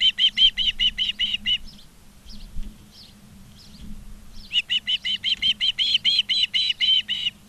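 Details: Osprey at a nest in Charlo, Montana, on 19 August 2023 in the afternoon; two long rapid series of loud, piping whistled chirps, about seven per second, separated by softer scattered notes, over low hum.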